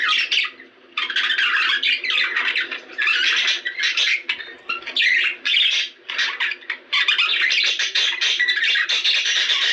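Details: Budgerigar chatter for encouraging mating, sustained buzzy, squawking warble delivered in phrases of one to two seconds separated by short silences.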